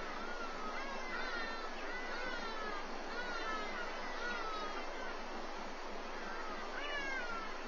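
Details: Verreaux's eagle at its nest in Walter Sisulu Botanical Garden while an adult feeds the chick breakfast: thin, mewing whistles rising and falling every second or two, over a steady rushing hiss of wind.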